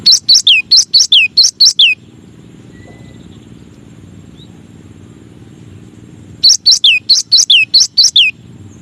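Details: Cinereous tit (gelatik batu), one of nine masteran song variations: two bursts of about six sharp, high, quickly descending whistled notes in fast succession, separated by a four-second pause filled with a low steady hum.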